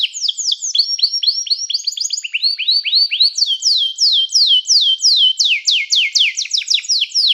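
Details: Canary singing to call other canaries to sing, for training: a continuous run of rapid, high, downward-swept whistled notes repeated in steady series, shifting between several tours of differing pitch and speed.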